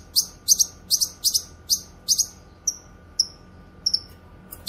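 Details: Grey-cheeked bulbul (cucak kinoy) used for training and luring: a fast series of high, sharp chirps, then several thinner, fainter whistled notes, before the loud chirping resumes at the end.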